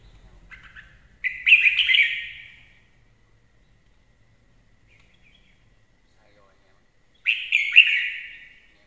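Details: Two bright, tumbling warbled phrases from a red-whiskered bulbul, a lure song, about six seconds apart, each a quick run of rich chirping notes; faint low clicks precede the first phrase.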